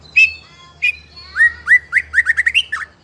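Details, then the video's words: Fighter-type young white-rumped shama singing nonstop as a lure that provokes other juveniles to sing; two sharp notes, then a rapid, accelerating string of rising whistled slurs. "Pancingan Murai Trotol FIGHTER Ngeplong Bikin Trotol Lain Terpancing Emosi Ikutan Gacor"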